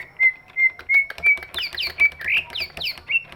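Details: Large-bodied greater green leafbird, its voice used to coax other birds to sing: four clear evenly spaced whistles, then a mix of high squeaky slurs and rising whistles, with faint background music.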